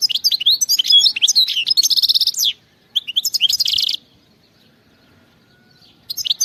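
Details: European goldfinch in the wild singing bursts of quick, tinkling twitters and sweeping whistles, a dense rattling trill closing each phrase, with short silences between bursts.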